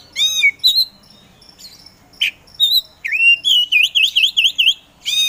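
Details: Kacer poci, an Oriental magpie-robin, sings loud whistles and chips, then a rapid series of about seven bouncing V-shaped whistled notes, ending with another sharp phrase.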